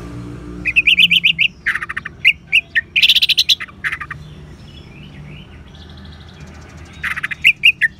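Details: Orange-headed thrush in ngeban style, played so caged birds start singing: rapid even trills of bright notes, buzzy harsh bursts, quieter soft warbling, then renewed quick chirping.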